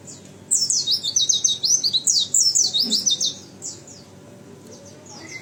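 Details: One-year-old captive-bred white-eye singing a fast, very high twittering run of sweeping chirps lasting about three seconds, followed by softer scattered notes and a lower whistle at the end.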